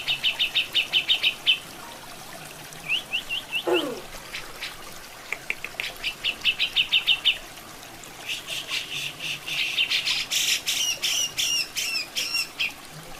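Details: Cucak jenggot, or grey-cheeked bulbul, in a masteran training recording: rapid bursts of clipped repeated notes in several runs, followed by a dense, loud chattering stretch, with flowing water beneath.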